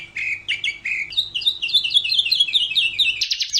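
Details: Atlantic canary (Serinus canaria) training song: chirpy phrases rising into quick twittering, closing with a dense high trill.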